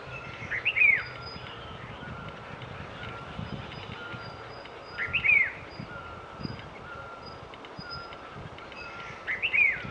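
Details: Rufous-throated partridge in Himalayan forest in Uttarakhand, India, giving haunting whistles: short, clear, high whistled phrases with an upward then falling sweep, repeated about every four and a half seconds over steady background hiss and faint insect-like hum.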